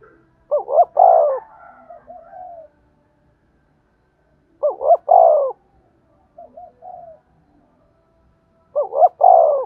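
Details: Spotted dove cooing, played to stimulate and train decoy birds. Each phrase has two or three short rising notes, then a longer falling coo. Phrases repeat about every four seconds, with faint soft notes trailing between them.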